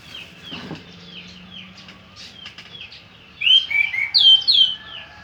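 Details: Loud, tumbling warbled phrases from an orange-headed thrush arrive in the second half, rich and sliding, after a quieter stretch of repeated downslurred whistles and a brief low rumble.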